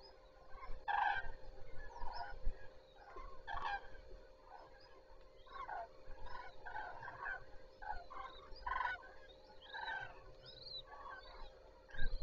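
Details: Common cranes at the start of the day at Zastawie reservoir, 14 September 2023: a dense chorus of overlapping rolling trumpeting calls in uneven bursts, louder near the start and end, over a steady low hum.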